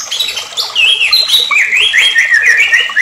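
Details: White-rumped shama song for provoking other shamas: chattering, squawky notes leading into a quick series of zigzagging whistled phrases, loud and steady.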